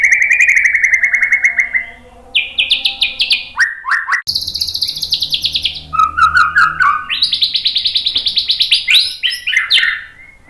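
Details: White-rumped shama lure song with rapid shot phrases, very varied: a steady trill, then abrupt jumps between very high and lower buzzy trills, sharp clicks, and a fast high rolling finish.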